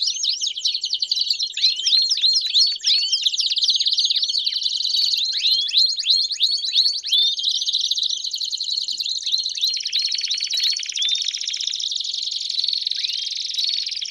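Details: Canary (Serinus canaria) sings a long, unbroken song of bright trills, rolls and swooping whistles, used to stimulate singing and train young birds.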